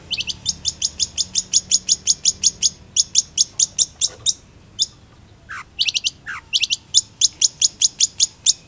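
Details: Energetic long-tailed shrike song: long series of rapid, evenly spaced high chips, a pause with two lower descending slurred notes, then the rapid chipping resumes.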